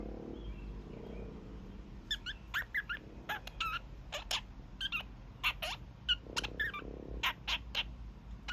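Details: Young male pet kakariki giving his daily evening honks: after two quiet seconds, a rapid, irregular burst of short, harsh, nasal honks, closely spaced and varied in loudness, over a low background hum.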